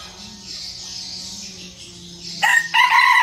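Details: Small decoy red junglefowl in Vietnam, a keen crower at daybreak: a harsh two-part crow bursts in after a stretch of shrill insect drone.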